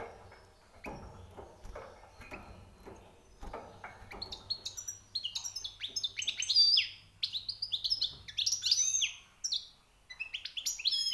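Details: European goldfinch singing, newly caught, a fast twittering of high chirps, trills and buzzy notes in bursts after a few seconds of quieter clicks and low hum.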